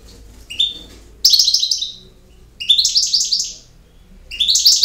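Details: European goldfinch in campero song: loud, rapid runs of tinkling, rolling notes in three phrases of about a second each, separated by brief silences, crisp and high.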